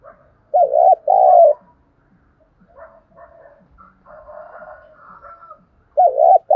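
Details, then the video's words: Decoy Spotted dove giving its lure call to stimulate wild birds: a deep two-part coo opens and closes the passage, with softer chattering from other birds and faint ticking sounds in between. "Tiếng chim cu gáy mồi thúc bổi rất sung nghe là ghiền mở lên bổi nghe nhanh nổi"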